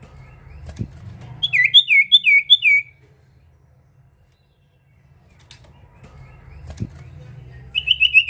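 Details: Songbird singing actively, used as a lure to draw in other birds: two short bouts of quick, clear, downslurred whistles, the first about five notes, over a low steady hum with faint knocks.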